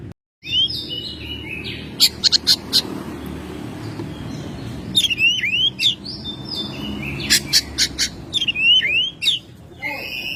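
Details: Oriental magpie-robin, a household bird in May, repeating phrases of sustained whistles, sharp chips and looping slurred notes several times, with a steady low hum behind.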